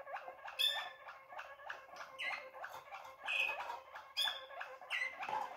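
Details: Young Waterslager canary hatched in 2020, recorded in January 2021, singing a steady run of low rolling notes repeated about three times a second, broken by brief higher whistled flourishes.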